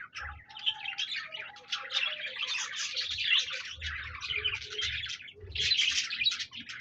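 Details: Budgerigars singing on 26 January 2024, a steady unbroken stream of busy, squeaky, chattering warble with quick high chirps, plus a few lower tonal notes threaded underneath.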